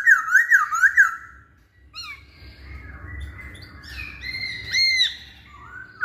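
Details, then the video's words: Masked laughingthrush lure song for reluctant male singers: it opens with fast, looping, wavy whistles, then continues with scattered slurred and rising whistled notes over a faint hum. "Poksay Hongkong Jantan Manapun Pasti Nyaut Saat Dengar Pancingan ini"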